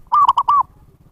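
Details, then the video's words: Lure call of a zebra dove for attracting wild birds: one clear phrase of four coos, the first and last longer and arched, the middle two clipped. "SUARA PIKAT PERKUTUT นกพิราบชวา Chim Cu Vằn | memanggil burung liar"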